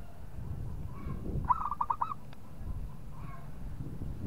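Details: Local zebra dove singing to provoke a rival into calling: one short burst of four or five quick, mellow trilled coo notes at mid pitch, with faint similar coos before and after over low background rumble.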